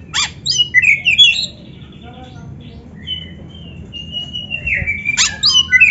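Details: Oriental magpie-robin (kacer) song for training young or quiet birds: loud whistled and warbled phrases with sharp rising and falling notes, a quiet pause mid-way, then a rising whistle and harsh buzzy bursts, over a low hum.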